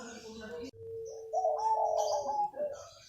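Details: A local wild zebra dove, or perkutut, singing actively in the morning in the manggung style: a soft low sustained coo followed by a louder, rising, wavering tonal phrase, with faint high chirps from other birds.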